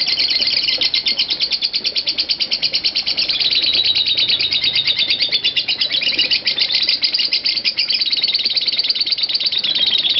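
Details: Long lovebird ngekek in the 'konslet parah' style, used as master audio to train lovebirds. Sharp, high chirps run at about three per second and merge into a dense, continuous chatter for ten seconds.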